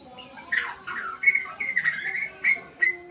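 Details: Brief phrase from a white-rumped shama learning sounds: a few clear whistled notes and short slurred chirps, spaced unevenly, over a soft low hum.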